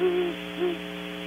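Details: Great Horned Owl at a barn owl nest box cam, Audubon Starr Ranch, California, gives two low, soft hoots, the first longer, about half a second apart, over a steady electrical hum.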